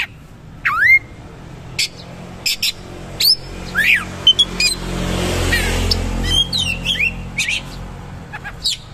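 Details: Oriental magpie-robin singing in a rough, rolling style. Deep V-shaped whistles, sharp clicks and quick twittering phrases come over a passing whooshing noise in the middle.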